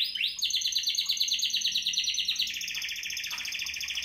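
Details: Spanish Timbrado canary from 2017 producing a steady, rapid, even metallic rattle that steps up in pitch halfway through and carries on without a break.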